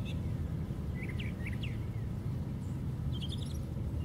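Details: Brown thrasher singing from the very top of a white pine tree: a few faint, quick rising and falling whistled notes, then a brief cluster of sharp high chips near the end, over a steady low rumble.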